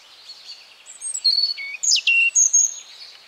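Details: European robin in a garden in spring, singing a rapid phrase of high whistles, sharp downward slurs and trilled notes, rich and varied, over faint background birdsong.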